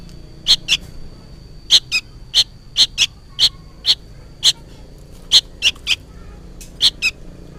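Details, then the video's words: Noisy juvenile sooty-headed bulbul, seemingly calling its parent: sharp, piercing chirps in steady succession after a short gap, some in doublets, about twenty notes, with a thin unbroken high hum behind. "suara burung kutilang anakan gacor ribut seperti memanggil induknya"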